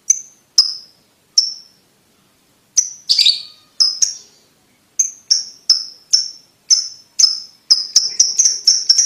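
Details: A lovebird ticks sharply, a call played so young lovebirds learn to trill quickly; sparse high chirps at first, one rough burst, then quicker runs of clicks crowding together at the end.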